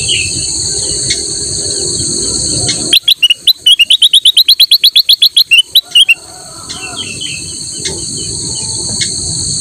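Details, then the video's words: Master song of a black-crested bulbul for teaching other birds. Scattered soft bird notes and shrill insect buzzing lead into a three-second volley of loud, rapidly repeated chirps, then the insects resume. "kutilang emas gacor buat masteran burung lain"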